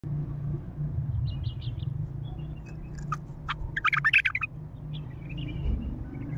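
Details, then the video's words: Heavy-throated, untrained bulbul singing: scattered short whistled notes, then a dense burst of sharp, warbled phrases near the middle, over a steady low hum. "تغريد بلبل خام حنجره ثكيله"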